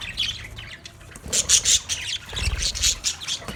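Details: Many budgerigars in a colony give sharp, high chirps and squeaky squawks, quieter at first and then swelling into louder bursts of busy chatter.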